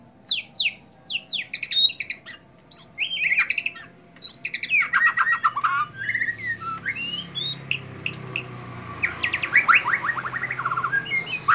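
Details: Indonesian white-rumped shama in bowing display, delivering a long, varied song of quick sweeping whistles, harsh chatters and rattling trills in dense bursts for over eleven seconds, with faint low background noise.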